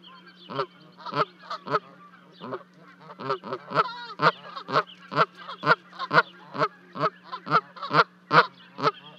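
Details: On 12 May 2020 at Charlo, Montana, two Canada goose goslings jump from a 30-foot-high nest to reach their parents, recorded by a livecam. Repeated, raspy honks come at an uneven pace of roughly two per second over a constant electrical hum.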